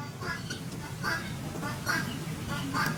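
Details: Male Indian peafowl (peacock) giving short, nasal, honking calls, roughly one every second, over a steady low rumble; he also displays, opening and closing his train.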